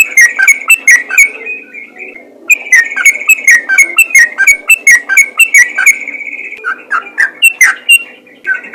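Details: Yellow-vented bulbul in lively, vocal form, calling to other bulbuls so they answer: bubbly, liquid chattering notes repeated in quick bursts, with a short pause before a second run of notes.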